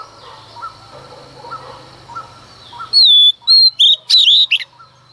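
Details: At dawn a female Oriental magpie-robin sings to rouse males: faint low twitters give way to two clean whistles and a brief burst of rich, fast notes, with a low hum underneath.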